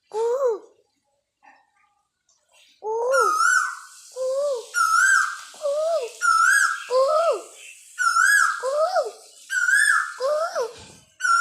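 An Asian koel gives loud, whistled two-part notes that swoop up then down, repeated in quick runs after a short quiet start.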